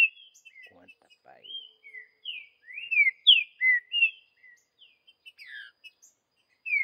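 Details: Green-winged saltator singing in the wild in the bush: a series of loud, clear whistled notes, some slurred downward, others rising, delivered in quick uneven phrases with short pauses and softer chips between.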